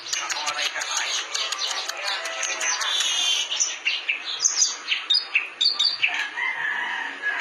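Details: A clamorous reed warbler in full song, with fast runs of sharp clicking notes giving way to varied rasping and whistled fragments, loud and continuous throughout.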